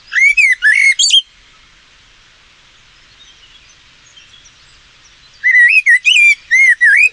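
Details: Common Blackbird in the UK singing slow, mellow whistled phrases ending in brief twittering, with pauses of about three to five seconds between verses; the slow tempo and pauses are diagnostic.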